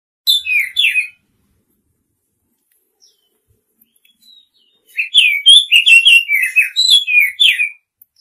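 A female Oriental magpie-robin gives a short burst of sharp chirps, then after a pause a longer run of quick, bright, twisting notes; nothing else is heard.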